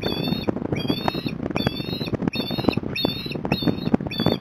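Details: Osprey returning to the nest with a fish at Port Lincoln, Australia, on 26 January 2021: shrill, thin, level whistled calls repeated roughly every 0.7 seconds over steady rumbling wind and background noise.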